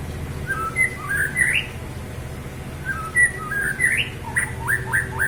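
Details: White-rumped shama singing clear whistled phrases with rising upslurs, a pause, then more whistles ending in quick upward-swept notes, over steady indoor background noise.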